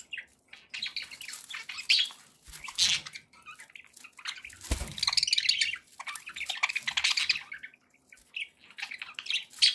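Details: Pet budgies give a dense, scratchy warble of chirps and squawky notes in long bursts, with a single thud midway.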